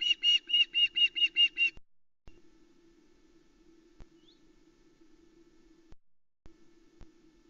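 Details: An Osprey chick alone on the Loch Arkaig nest calls for food at about 06:15 on 3 Aug 2020 as the adult male brings a small trout: about eight quick high whistled chirps in under two seconds, over a low electrical hum.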